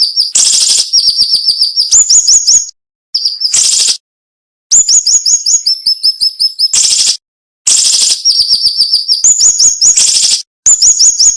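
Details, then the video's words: Cinnamon-bellied flowerpecker (siri-siri) song used as a training recording for songbirds, sharp and dense: rapid high thin ticking notes and short downslurred whistles in quick bursts, with broadband buzzy blasts and brief silent gaps between phrases. "MASTERAN SUARA BURUNG SIRI SIRI NEMBAK TAJAM"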